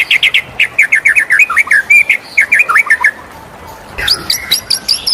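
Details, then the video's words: White-rumped shama singing in the morning: loud rapid series of sharp whistled notes, repeated in quick runs that slide and jump in pitch, ending in higher, varied phrases. "suara merdu murai batu di pagi hari"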